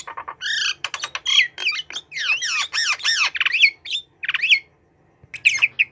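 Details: Hand-tame white-rumped shama sitting on a hand gives a continuous, varied song of loud slurred whistles, swooping up and down, mixed with harsh buzzy notes and quick trills, broken by a short silence near the end.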